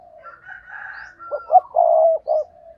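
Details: Spotted dove used as a decoy, giving the stammering 'gù cà lăm' coo meant to stir rival birds: a drawn-out hoarse note, then short, stuttered, throaty coos ending in a loud held syllable and a soft trailing note.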